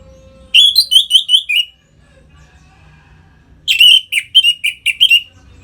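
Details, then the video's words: Orange-headed thrush giving ngeplong song meant to rouse caged birds toward breeding: two loud phrases of quick, sharply repeated whistled chirps, each about one and a half seconds, divided by near silence. "Suara Ngeplong ANIS MERAH Gacor Memancing Burung Agar Birahi dan Lanjut ke Tahap Teler"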